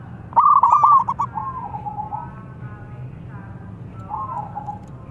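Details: Local zebra dove calling hard as a trapping lure: one loud, rapid throbbing coo burst followed by a long, lower drawn note, then a second fainter drawn note after a gap.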